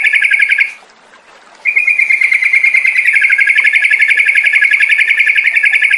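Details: Yellow-vented bulbul recording meant to coax birds into singing in ngropel style: a fast, even rattling trill, briefly broken off, then resumed and held steadily for several seconds.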